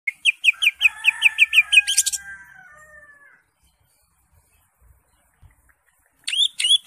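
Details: Caged green leafbird in full song, used to prompt silent captive birds to sing: a fast run of about nine sharp repeated whistled notes, then a drawn-out steady buzzy tone, a quiet pause, and a brief burst of notes at the end.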